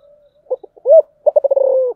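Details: Spotted dove calling in the 'giọng thổ' song style: a few soft low stuttered notes, one smooth rising-then-falling coo, then a rapid rolling series of low coos that runs into a long drawn-out final coo, with otherwise quiet background.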